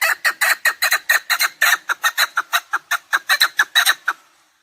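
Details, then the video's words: Repeated chukar partridge calling from a hunting recording, loud rough clucks delivered rapidly and evenly for over four seconds before stopping. "Овози кабк кеклик калик пение каклик мастак модкабк шикор"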